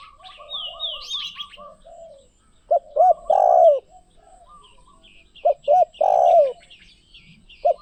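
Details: Deep cooing of a spotted dove, two full phrases of two brief notes plus a long purring coo, with the start of a third; a whistled bird call and background chirps are heard early on.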